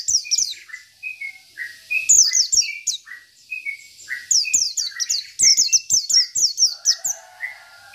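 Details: A local Indonesian Oriental white-eye sings a fast, high twittering song of rapid descending notes mixed with lower whistled slurs. It sings continuously, a song used as a training master and to provoke rival birds.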